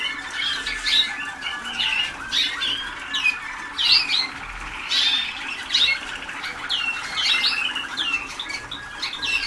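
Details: Waterslager canaries a few days into song training, still unfinished: dense, varied high chirps, whistles and short trills from several birds, over a constant low hum.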